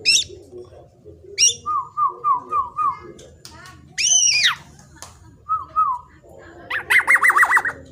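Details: Juvenile black-naped oriole used as a lure, singing thin high downslurs, a series of four wavering whistled notes, a loud arched buzzy phrase, a shorter whistled pair and a final rapid trilled wavering whistle.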